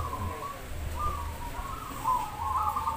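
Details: Zebra doves at a singing competition of a local dove community in Demak, Semarang; overlapping coos rise and fall in pitch, with low background rumble.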